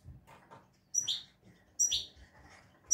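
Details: European goldfinch with a praised 'şak şaklı' song delivers two crisp, high chirps with buzzy tails about a second apart, a third note starting at the end, with faint soft knocks beneath.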